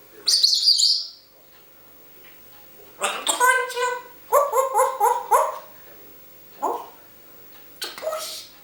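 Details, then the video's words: A female talking grey parrot, filmed with a hidden camera, gives a sharp high whistle, then talks in clear word-like bursts, with a quick run of syllables and two short phrases after pauses. "Talking African Grey Parrot"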